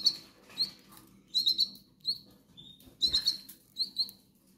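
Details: Goldfinch chicks in the Canary Islands begging for food, a series of shrill, squeaky chirps in quick clusters, roughly every second, over light background rustle.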